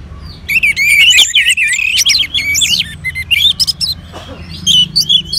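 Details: Kept orange-headed thrush in northern Bali, sung up with recorded colony birds, pours out a rich, fast tumble of whistled and chattered phrases, then sparser sharp notes and high chirps.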